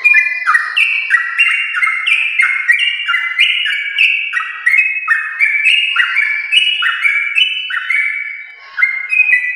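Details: Extended song of a yellow-vented bulbul from a champion lineage: a cascade of ringing whistled notes, each sliding down before the next starts higher, continuing nearly ten seconds with only a short dip near the end.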